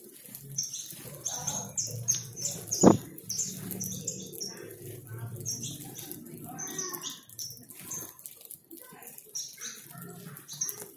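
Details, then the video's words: A flock of more than 100 free saffron finches in a backyard gives a dense chorus of short, high chirps and twitters, with wing flutters and one sharp knock. "tratando mais de 100 Canário da Terra livre em meu quintal e cantando"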